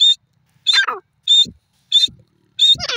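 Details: Grey francolin (desi teetar) giving a long calling bout: short shrill high notes repeated about every 0.6 seconds, interleaved with harsher notes sliding steeply downward.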